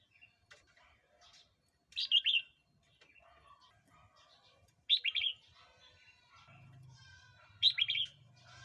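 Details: Red-whiskered bulbul recording meant to tease wild birds or tutor young ones: short liquid warbled phrases repeated about every three seconds, with quiet chirps between and a low hum near the end.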